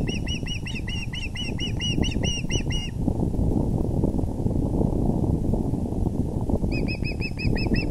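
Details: At the VGCC osprey nest on April 6, 2020, 6:30 pm EDT, with the male bringing a big fish, a three-second burst of fast, loud whistled chirps stops, then after a pause of wind rumble the chirping resumes for the last second.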